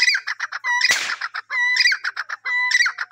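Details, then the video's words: Francolin calling in a repeated phrase: a level whistled note followed by a quick run of sharp clipped notes, about once per second, with one brief burst of noise midway. "amazing teeter sounds"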